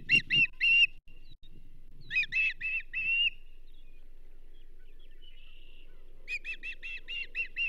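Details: Charlo nest osprey calling as a whole whitefish arrives for the banded female on 27 April 2024. Three bursts of rapid high chirping with near-silent gaps between them, a thin whistle in the lull, and a final quick volley.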